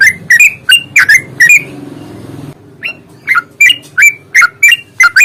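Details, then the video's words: Yellow-vented bulbul fighting lure, loud bubbly whistled phrases rising and falling around mid-high pitch, repeated in quick bursts, with a short noisy gap of low rumbling in the middle. "trucukan gacor tarung ROPEL PANJANG pancingan trucukan agar bunyi"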